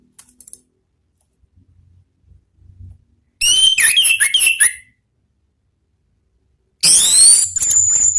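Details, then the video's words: Orange-headed thrush singing ngeplong style to provoke other birds: after faint low knocks, a burst of fast, loud, descending whistled notes, a pause, then a shrill high phrase with a long thin whistle. "MEMANCING ANIS MERAH BUNYI NGEPLONG"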